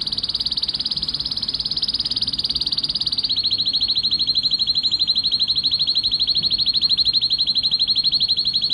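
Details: Male canary's excited song to prompt mating: a rapid high trill that drops to a slightly lower, even faster rattle partway through and keeps going steadily.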